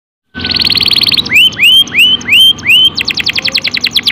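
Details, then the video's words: Domestic canary singing a lure song meant to provoke other canaries to sing. It opens with a fast, buzzy trill, then gives five slurred, rising whistles, and ends with a rapid series of sharp, descending chips. "PANCINGAN KENARI TERAPI KENARI MEWAH | CANARY SINGING"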